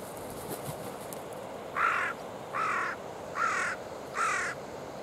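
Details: Carrion crows of a wild family at a waterside feeding ground on the Oita River, October 15, 8:12: four hoarse, nasal caws repeated steadily about every 0.8 seconds after a short quiet start.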